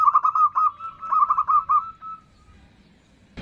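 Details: Female zebra dove calling a male with the nutut call: a fast burst of throaty coos that trails into a thin drawn-out note and then near silence.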